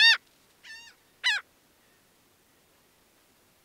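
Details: Laughing gull calling in brief, harsh, nasal notes, each slightly downslurred. There are four notes spaced irregularly, roughly half a second to two seconds apart, against a quiet background.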